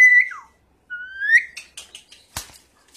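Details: Asian pied starling whistling a falling note and a rising slurred note, followed by a few quick clicks and a short harsh chirp.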